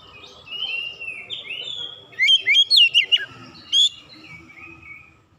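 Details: Oriental magpie-robin sings to rouse rival magpie-robins into heated singing. A soft warble opens, then a quick cluster of sharp, looping whistles and one final high note, over faint low background rumble.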